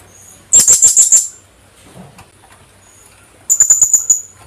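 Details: Two bursts of rapid, high, sharp chips, five in the first and six or seven in the second, separated by a two-second gap; the caller is a Philippine hanging parrot, or colasisi, endemic to the Philippines.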